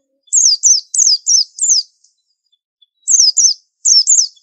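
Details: Rapid string of five high, falling whistles from a white-eye, a brief pause, then four more in two pairs. Bright, thin tone, offered as a distinctive tutor song.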